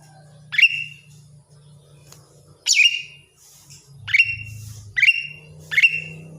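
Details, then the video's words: Greater green leafbird kept as a song-training bird, sounding strong whistled notes that sweep down then hold a level high tone, given in irregular bursts over a low steady hum. "cucak ijo gacor"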